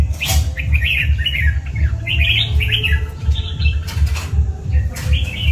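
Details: Red-whiskered bulbul of the tiger type, a kept bird, gives short bursts of slurred, rising whistles between knocks and rustles, with a strong regular low thumping beat throughout.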